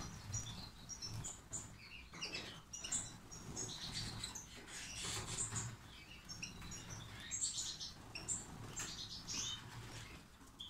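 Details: European goldfinch fledglings of the 'akgerdan' type, 2019: thin, high chirps and short twittering notes, scattered irregularly throughout, over steady rustling, scratching and patter noises nearby.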